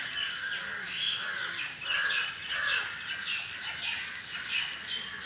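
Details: Birds chirping in the early morning around 5 AM: several birds overlap with high, thin, quick chirps and short whistled notes, a continuous bright chorus with no clear single dominant singer.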